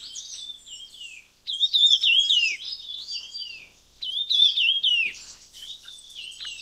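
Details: Red-tailed minla (Minla ignotincta) call: high, twittering phrases of wavering, slurred notes in bursts with brief pauses; species found in India, Bhutan, Bangladesh, Nepal, southern China and northern Southeast Asia.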